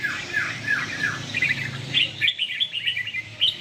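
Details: Caged red-whiskered bulbul kept for song contests delivers a few looping slurred whistles, then a quick burst of sharp, chirpy notes over low background noise.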